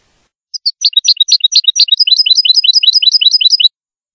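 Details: A goldfinch delivers a brisk song of high, clipped notes that quickly run together into a rapid, rhythmic twitter of falling, liquid syllables, about two or three per second, in a quiet setting.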